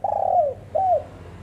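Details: A female spotted dove gives a long mellow coo that falls away at the end, followed by a shorter downward-slurred hoot.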